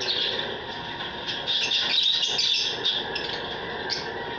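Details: African lovebirds kept as pets during mating season, giving continuous high squeaky chirps and chatter with several birds overlapping, over a steady hum in the background.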